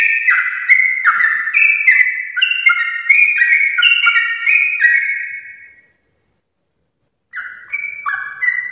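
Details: A sooty-headed bulbul sings a long 'ropel' in the morning to encourage others of its kind: rapid, mellow, falling notes tumbling over each other for six seconds, a pause, then a few more phrases.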